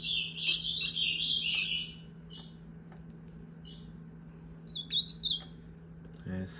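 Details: Female ultramarine grosbeaks, called azulão, fighting and singing at 6 pm: a high, warbled phrase of slurred whistles held near one pitch, then quiet, then a shorter burst of quick chirping notes, over a steady low hum.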